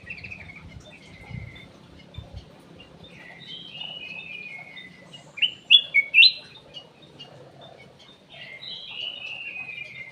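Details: Ruby-throated bulbul (cucak emas, kutilang emas) lure song from an aviary bird: clear whistled phrases, some falling and some rising and warbled, spaced a few seconds apart, with a low background hum.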